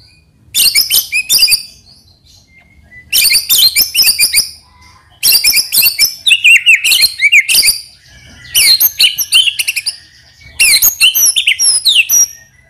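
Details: Caged white-rumped shama used as a provoking lure for other birds, singing in five loud bursts of high, rapid, chattering and sharp whistled notes, each about a second long, separated by short silences.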